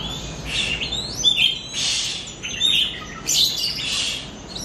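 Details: Kept Oriental magpie-robin singing as training material to stimulate pet birds; loud bursts of scratchy, buzzy chatter with slurred whistles recur about every second, with brief gaps between phrases.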